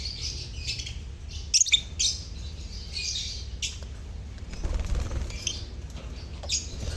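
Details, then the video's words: Lovebirds chattering as a colony to prompt mute birds to sing; overlapping high, hoarse chirps in waves, a couple of sharp squeaks near one and a half seconds, steady low hum. "Pancingan Suara Lovebird Koloni untuk pancingan lovebird bisu"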